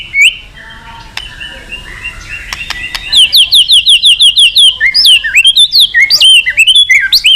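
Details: White-rumped shama, a male Indonesian songbird in lively song meant to stimulate others to sing, delivers high whistled slurs and rapid looping chirps after a few scattered clicks and a quiet start.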